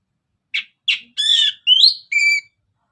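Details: Orange-headed thrush in vigorous, nonstop song, used as a prompt for other birds: two short buzzy notes, then three longer whistled phrases, one rising and one steady with rich overtones, all in clean silence.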